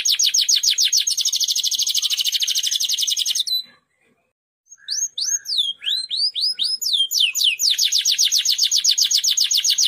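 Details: Song of a Timbrado canary meant for training canaries: dense fast trill, a brief silence, then looping whistled slides rising and falling before another long rolling trill.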